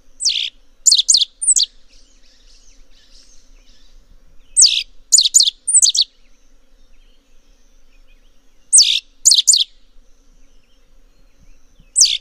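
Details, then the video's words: A rusty sparrow (Aimophila rufescens) sings short bursts of four or five sharp, high, clipped notes, each phrase repeated about every four seconds against a quiet background. "O canto do Tico Tico avermelhado"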